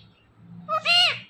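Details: Pet parrot talking nonstop: a two-part spoken word, a short nasal first syllable followed by a longer, harsh, harmonic-rich second syllable that bends down at the end, over a faint low hum.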